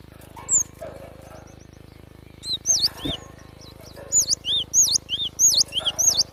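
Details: Java sparrow song: after quiet scattered chips and a click, a fast sequence of piercing high whistled notes that swoop down and up, about one and a half per second, over a faint low hum.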